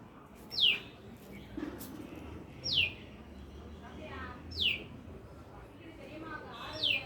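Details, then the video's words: A bird in a lemon tree gives a thin, downward-slurred whistle roughly every two seconds, four times, fairly faint against a murmuring background with some low rumble. "Lemon tree with bird chirping sound"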